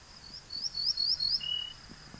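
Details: Ortolan Bunting singing a single ringing verse: five quick, high, upward-sliding notes, then one longer, lower, slightly falling note, over a steady faint high hiss.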